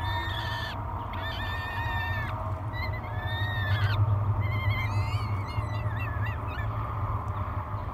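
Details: Hungry peregrine falcon chicks at Great Spirit Bluff calling during a May morning feeding: a series of strained, wavering wails with sliding pitch, several bursts in quick succession, and a low steady wind roar throughout.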